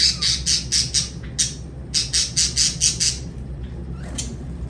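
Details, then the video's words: Lovebird giving harsh, high, broadband squawks and chirps in quick bursts, about two per second, with a low steady hum behind. "Lovebird Singing & Chirping Sounds"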